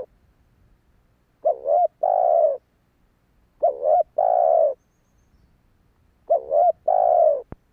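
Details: Three regular phrases from a spotted dove, used to attract wild doves: each a fluttering double coo then a longer steady coo, repeated roughly every two and a half seconds, with a sharp click at the end.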